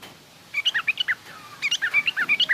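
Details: Yellow-vented bulbul, garuda type, in rough ngriwik chatter for young-bird tutoring: two short bursts of quick, slurred chirps with a brief pause between them.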